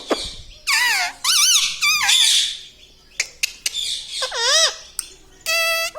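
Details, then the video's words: Talking parrot, called a tota and said to speak words like "me tota". Bursts of loud, rasping, wavy squawks come about every half second, broken by short clicks, and the clip ends on a steady, buzzy harmonic note. "Papa Mummy Bolne Wala Tota - Talking Parrot - Me Tota Me Tota"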